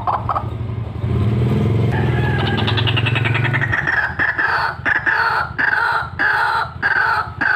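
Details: White-breasted waterhen call recorded for luring, opening with a low engine-like drone behind a few notes. Once the drone stops, harsh croaking notes repeat steadily about once a second in a strong, rhythmic series.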